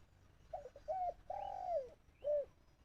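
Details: Decoy dove in a trap cage calling out to wild doves, giving a run of soft hooting coos, the longest a drawn-out level note that drops at its end, followed by a short rounded coo; faint background hum.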